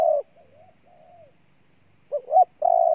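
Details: Spotted dove of Ninh Thuận, Vietnam, cooing; the end of one long coo, a faint softer warble, then two quick rising notes leading into another drawn-out, steady coo.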